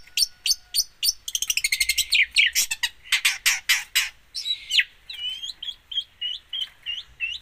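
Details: Long-tailed shrike delivering a mimic-filled song: rapid clicking trills and harsh chattering bursts give way to looping, whistled upslurred phrases repeated at a steady pace.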